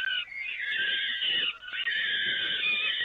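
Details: Peregrine falcons fed on the Evoluon nest grating, 13 May 2018: an almost unbroken, wavering rasp of harsh screeching for three seconds with a single brief dip.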